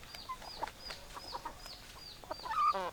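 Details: Hens clucking, with short clucks among repeated high, thin, descending chirps about every half second. A louder, harsher squawk ends the passage.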